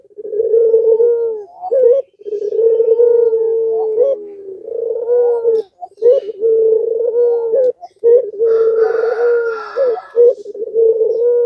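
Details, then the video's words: Puter pelung spotted dove giving its provoking call meant to make rival doves answer: sustained, low, droning coos run together in long phrases broken by brief gaps, with faint high chirping in the background. "Suara Gacoran Puter Pelung Ini Membuat Lawan Emosi Dan Terpancing Ikut Gacor"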